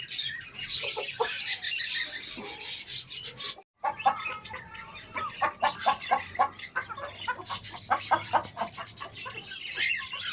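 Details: Pet hens meeting pet chicks: soft, low clucking mixed with a steady wash of thin, high-pitched peeping, broken by a brief silent gap.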